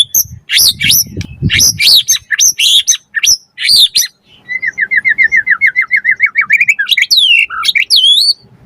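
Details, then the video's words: White-rumped shama in full, varied song used to make other birds answer and as a tutoring track: dense chattering phrases with some low rumbling behind, then a long series of quick repeated whistled notes rising into sweeping high whistles. "Pancingan Murai Batu Langsung Nyaut Auto Bunyi Cpt Gacor Full Isian Buat Masteran Suara Burung Murai"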